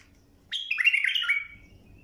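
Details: A bulbul song phrase for teaching young birds to sing, a single rich, bubbling warble about one second long that starts high and slides downward, with a faint background hum.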